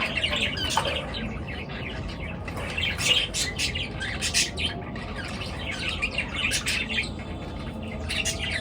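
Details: Several birds chirp at daybreak: quick sharp chips and squawks in irregular bursts, some clusters rapid, with brief quieter gaps, over a faint low rumble.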